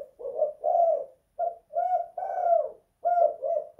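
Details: Caged indoor spotted dove with kuk 2 / guk 1 song: paired husky coos, a short pause, then a longer sequence of slurred, mellow notes, another pause, and two more coos.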